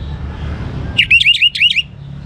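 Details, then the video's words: Young orange-headed thrush singing to encourage other birds to sing: a quick run of five or six upslurred whistled notes after a second of low background rumble. "ANIS MERAH Muda Gacor Untuk Pemancing Burung Berani Berkicau"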